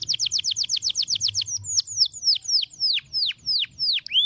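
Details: Long roll canary song for tutoring other birds: a rapid series of repeated downward-swept notes slowing into separate loud descending whistled slurs, with faint low hum beneath.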